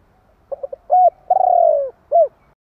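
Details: Spotted dove giving a provoking call: three rapid soft coos, an arched note, then a long trilled croo gliding downward and one short closing coo.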